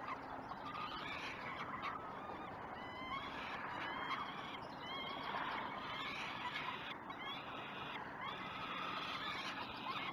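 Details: Peregrine falcons at the Great Spirit Bluff nest, caught by a live nest camera during the first breakfast of 29 May 2018 around 06:09. Harsh, rasping calls with stacked overtones come in repeated bursts over a steady, loud broadband background hiss.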